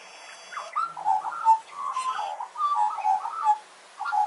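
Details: A wild Australian magpie in a backyard warbles a run of mellow, fluting notes that slide up and down in short linked phrases, with brief pauses between bursts.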